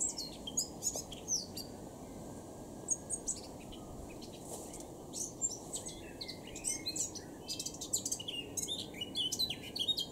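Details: Eurasian blackcap singing in Cambridgeshire, UK, on 26 June 2016: a rich, busy warble of quick high chirps and whistled notes in varied bursts over ten seconds, with a steady low background hum.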